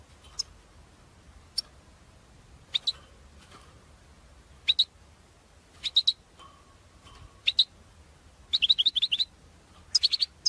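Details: Goldfinch lure calls for trapping: short, sparse tinkling notes, singly or in pairs, that grow into quicker runs of chattering twitters near the end, over faint background hum.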